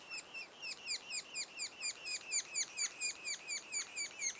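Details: Sapsucker calls at a nest, recorded two days before first fledging. Clear, bright notes with a quick downward slur repeat regularly about twice each second throughout.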